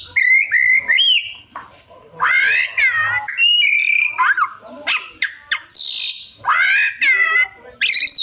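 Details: Oriental magpie-robin (kacer) in energetic gacor song packed with isian, imitated sounds: loud bursts of slurred whistles, harsh mewing notes and steep rising and falling sweeps, delivered in quick varied phrases separated by brief pauses.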